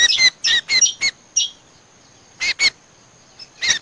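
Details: Lure playback of Common Iora (cucak combo), used by bird catchers: a few quick rasping chatters at the start, a long quiet pause, then two short harsh notes and a final burst.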